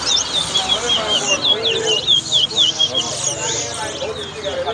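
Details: At a Guyanese West Side bird ground whistling competition, a lesser seed finch, or towa towa, delivers repeated looping whistles, fairly regular and bright, above a constant hum of spectators' voices.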